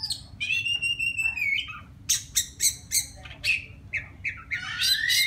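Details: A wild white-rumped shama calling a female starts with a sustained warbled whistle, then gives loud harsh rasping notes about every quarter second. It ends with falling and rising fluty whistles.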